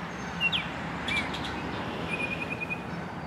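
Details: Baltimore oriole singing in summer from the top of a tree at Lynde Shores, Whitby: a short, clear upslurred whistle, a brief sweet note, then a long steady whistle with a slight flutter, over a low traffic hum.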